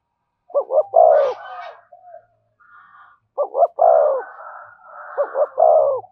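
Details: Spotted dove giving its thổ and thúc coo styles, three loud phrases of a fast paired note then a drawn-out, deep, husky coo, softer chatter between phrases.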